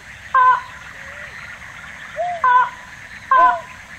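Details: Slaty-legged crake recorded in Tainan City, Taiwan, on 9 December 2019, giving three abrupt nasal, harmonic notes with softer low, curved notes between them, against constant faint hiss.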